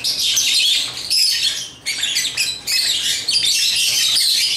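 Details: Lovebirds of the African kind, pets busy with their toys, keep up a loud, high chattering of rapid chirps and squeaky twitters in overlapping bursts, broken by short gaps.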